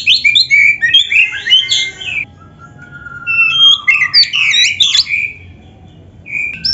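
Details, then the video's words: Kacer (Oriental magpie-robin) masteran in 'gacor full isian' style for training caged birds: tumbling whistled phrases and twitters, a long steady low whistle, then another dense burst of mixed notes. "MASTERAN KACER GACOR FULL ISIAN !! - Suara Burung Kacer yang cocok untuk LATIHAN"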